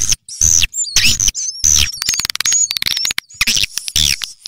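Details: Swiftlet lure call played to attract swiftlets: loud, high chattering twitters and thin whistled notes in dense bursts, broken by short gaps, with rapid clicking trills between them.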